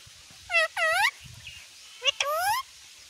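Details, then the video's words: Pet talking parrot kept at home, repeatedly saying a short phrase in a loud, nasal, harmonic voice, two rising utterances early then another pair after a pause, with faint low background noise. "बोलने वाला तोता"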